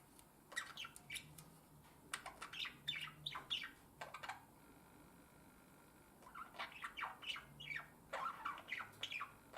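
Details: A male pet Budgerigar (Melopsittacus undulatus) warbles in quick chattering bursts of chirps and squeaks, singing to court and impress his mate.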